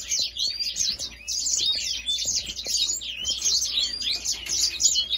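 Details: African grey singing finch in continuous, loud song: a rapid, unbroken run of high twittering notes, quick rising and falling slurs and rattling trills, with no pauses.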